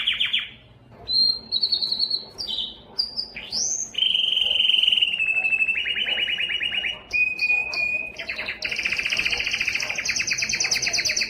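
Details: Yellow canary song opening with a falling slur and scattered high notes, then long rapid rolling trills at varied pitches, short whistled notes, and a loud buzzy double-toned roll to the end.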